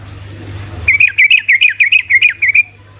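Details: Yellow-vented bulbul, 'ropel' rapid song meant to prompt lazy bulbuls into singing: about nine quick, evenly spaced bright chirps in a tight bubbling run, with a constant low hum underneath.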